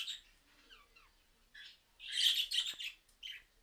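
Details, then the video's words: Budgerigars responding to a mobile phone recording; soft descending chirps open, then a loud burst of raspy, buzzy chatter and a short closing warble. "Periquitos Australianos respondiendo a una grabación de teléfono móvil"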